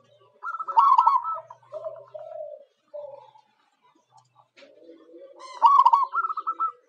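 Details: Zebra dove (Geopelia striata), local perkutut used as a lure bird, giving its soft, stuttering cooing song: quick bursts of clipped rolling notes, a pause, then another trilled phrase ending in longer coos.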